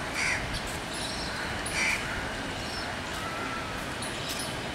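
A white ibis gives two hoarse, nasal honks about a second and a half apart over a steady background rush of wind or distant traffic.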